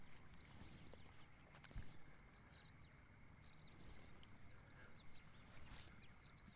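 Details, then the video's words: At dusk at Point Vernon, Hervey Bay, whistling ducks fly close overhead, as they do at the same time every night. They give thin, high rising-and-falling whistles in quick overlapping bursts, against a steady insect buzz and a low wind-like rumble. "Here comes the whistling ducks. Can you hear them?"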